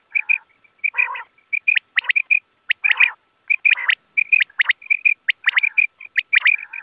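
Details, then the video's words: Wild quail calling for net hunting: a dense, busy run of short high notes and clicks mixed with nasal, buzzy bursts, almost continuous throughout. "BATER Ki Awaz|Batair ki awaz 2024|Quail sound 2024|Quail shikar ki awaz|hunting Batera with net."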